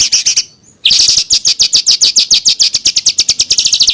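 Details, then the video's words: Rough, rapid 'tembakan' singing from a small bird, used as master training audio for contest birds: a short chattering run, a brief pause, then a long loud stream of fast, harsh, high descending notes. "SUARA BURUNG KECIL TEMBAKAN KASAR"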